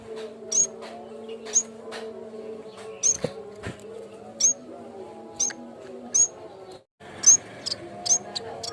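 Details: Training lure of a yellow-bellied warbler, called cikrak bambu: shrill, high, short whistled chirps about once a second, a brief silent break near the end, steady low humming beneath.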